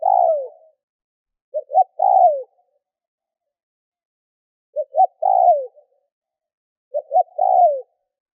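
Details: Decoy spotted dove cooing repeatedly to draw in wild doves: about four phrases in eight seconds. Each is two quick notes leading into a longer coo that sags in pitch. Nothing else is audible.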